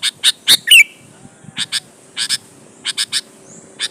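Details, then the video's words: Sooty-headed bulbul used as a lure to make other bulbuls reply and sing: quick harsh rasping notes in twos and threes, with one short clear whistled phrase near the start, over faint low background hum. "suara burung KUTILANG GACOR MENEKAN LAWAN"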